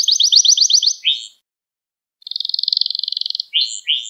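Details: Gloster canary song to stimulate other canaries: a quick pulsed trill and slurred notes, about a second of silence, then a buzzy even trill followed by more slurred swoops.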